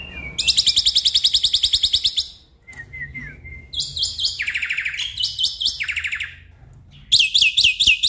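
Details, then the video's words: Song of the black-winged myna meant to trigger a stressed caged bird into singing: long bursts of very fast, harsh, high rattling notes, a short whistled phrase between, and another rapid rattle at the end. "Pancingan Jalak Putih Stres Malas Bunyi"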